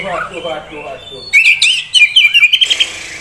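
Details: Caged Oriental magpie-robin, a young prospect bird offered by a dealer in Kisaran: after a stretch of people talking, a quick run of bright, high whistled and chattering notes fills the last two seconds.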